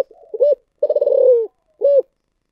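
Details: Thổ sấm style cooing of a spotted dove: murmured lead-in, a clear coo, a long rolling throbbing note dropping at its end, and a short round closing coo after a pause.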